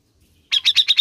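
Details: Grey-cheeked bulbul (cucak jenggot) recording, played to stimulate caged birds to sing: a quick run of six buzzy, chattering notes, evenly spaced and steady in pitch.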